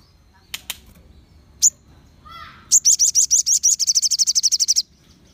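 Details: Crimson sunbird, 'ombyokan' recording meant to provoke other sunbirds into singing: a few sharp high chips, a brief lower rising warble, then a fast ringing trill of about twenty high, even notes lasting nearly two seconds.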